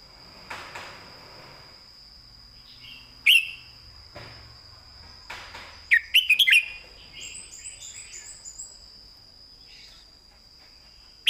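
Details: Red-whiskered bulbul singing its 'master song' (phleng mae bot) with clearly delivered phrasing: a short bright chirp near three seconds, a loud warbled burst around six seconds, then a softer run of quick notes, all over a steady high insect drone.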